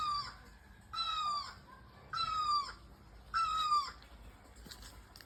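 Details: Bird chirping by flowering bougainvillea in full bloom: four evenly spaced, buzzy-toned calls, each about half a second and gently descending, repeated about every 1.2 seconds, followed by faint clicks and quiet.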